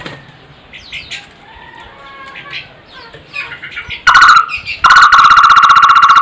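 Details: Soft twittering of other birds gives way to a barbet's loud, harsh call of quick, regular pulses on a flat pitch, a short burst then a longer one.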